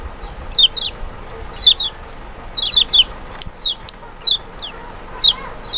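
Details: Lemon-bellied white-eye trigger song (Zosterops chloris maxi, Kecial) to coax a reluctant bird: high, thin, descending whistles in pairs and singles, spaced irregularly, with faint clicks and steady background hiss.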